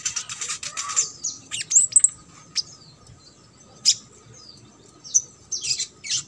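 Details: High-pitched crimson sunbird song in trotol style, aimed at prompting silent birds to sing: a fast twittering run at the start, then scattered sharp, whistled notes separated by quiet gaps.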